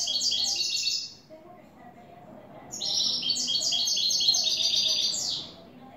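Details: European goldfinch singing in the cante limpio style: two bursts of rapid, bright, high twittering notes in quick tumbling runs, separated by a pause of about a second and a half, over a faint low background hum.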